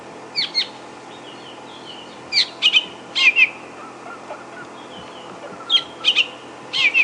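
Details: A fork-tailed drongo calls from just overhead during a morning safari drive at Djuma Game Reserve on 28 February 2016. It gives sharp, high chirps and quick trilled phrases in short bursts, imitating woodland and brown-hooded kingfishers and a francolin.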